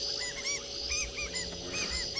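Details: Southern White-crowned Shrikes alarm at sunset in the Kalahari, South Africa, as a predator fades into the darkness: nasal, squeaky, arched notes in quick overlapping pairs over a steady high insect drone and faint hum.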